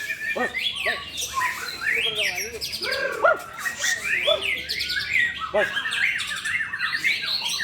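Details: Two white-rumped shamas pitted against each other in song. Loud, rich whistles rise and fall, and buzzy chatters and fast trills mix with low, fluting notes, all overlapping continuously. A man's voice speaks in Indonesian around the singing.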